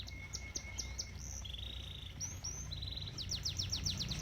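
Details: Canary song beside a koi pond with a faint sustained whistle, sharp repeated chirps, short buzzy trills at differing pitches, and a final burst of quick descending notes over low running water.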